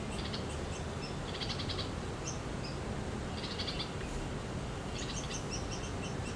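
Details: Red-vented bulbul chick sitting at its nest in India, giving short high chirps in quick clustered bursts with pauses between, against a constant background hiss.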